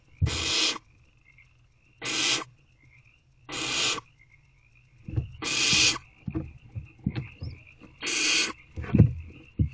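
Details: Squirming barn owl chicks inside a nest box at night, 3/5/24, 10:26 pm: five broad, noisy hisses come roughly every one and a half to two seconds, with knocks and rustling from movement between them and a faint steady tone behind.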